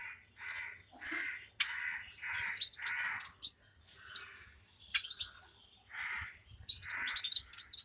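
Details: Society finch and long-tailed finch hybrid in song. Buzzy, hoarse phrases about half a second long alternate with brief high whistled notes, repeating steadily over several seconds.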